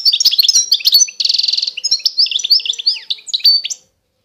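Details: European goldfinch of the eastern Algerian Constantine type: tinkling, fast chirps, then a rasping buzzy trill, then a flowing series of high slurred whistles and twitters, lasting nearly four seconds.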